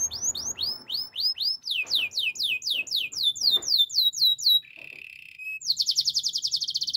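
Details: Yorkshire canary training song: fast series of repeated high sweeping notes about four per second, shifting into a steady buzzy trill, then a rapid high chattering roll.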